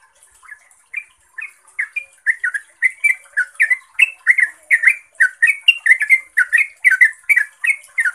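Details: Yellow-vented bulbul lure song in ropel style: it opens with a few scattered chirps, then builds into a dense, rapid run of bubbly slurred notes that grow louder toward the end.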